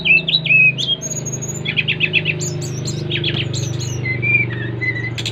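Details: Bali brown-chested jungle flycatcher, five months old, recorded July 2024, singing to draw other birds into song. Bright whistled notes, sliding phrases and fast chip series play over a continuous low mechanical hum.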